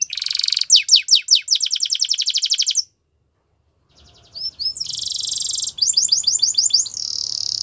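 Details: Russian canary singing a training song: dense buzzy trills and rapid repeated rolled notes high in pitch, broken by a short silence before more rolling, sweeping phrases resume.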